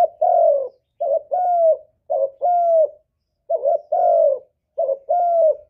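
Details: Lure call of a spotted dove used to provoke answering coos: deep mellow two-part phrases, a brief note followed by a sustained falling coo, repeated with a short pause after every two phrases.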